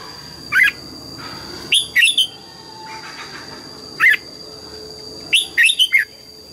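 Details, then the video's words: Red-whiskered bulbul giving morning song, pushed toward double-note 'già rừng' phrasing: a single whistled note, then a quick tumbling three-note warble, repeated twice across the recording, with a steady high hum in the background. "Luyện giọng chào mào hót sáng, ép chào mào hót âm kép già rừng hay tuyệt!"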